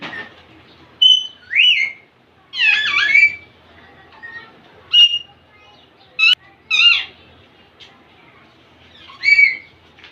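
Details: Young male Indian ringneck parakeet calling to impress a female; a series of loud, harsh, rasping squawks and short chattering notes, some rising and falling, spaced irregularly over about ten seconds in a quiet room.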